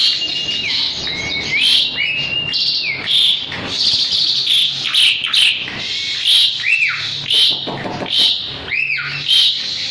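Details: Asian pied starling (jalak suren), a caged bird singing actively while handled, suitable as a training tutor for other birds: a dense stream of high squeaky whistles and rising slurred notes over a steady noisy background.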